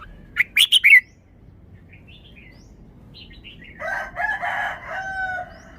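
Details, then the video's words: Red-whiskered bulbul kept as a cage bird, singing its phrased 'forest song': a crisp burst of four sharp whistled notes, then a pause and a lower, harsher warbling from another bird. "นกกรงหัวจุก 1038 จ้าวมาดี สำนวนดี"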